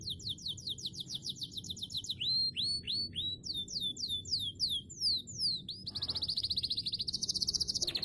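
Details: Canary lure song meant to set other canaries singing: quick series of high downward-slurred notes, then looping whistled sweeps at a slower beat, ending in a very fast, high, buzzy trill; quiet low rumble behind.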